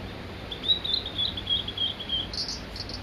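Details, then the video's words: Male Blue-and-white flycatcher on Mount Migita, with a long even series of high whistled notes repeated in quick succession, ending in a few higher buzzy notes. "オオルリ ワンマンショー in 右田ケ岳"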